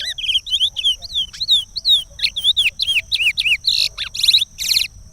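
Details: Curió, the chestnut-bellied seed finch, in Regional-style song from Pará meant for training young birds: quick varied whistles, swooping and dipping, ending with harsh buzzy rasps.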